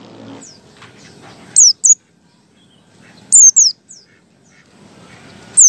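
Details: A white-eye in ngalas style, played as a lure to start other white-eyes singing. Sparse pairs of piercing, down-slurred high notes are separated by long pauses over a faint rustling background.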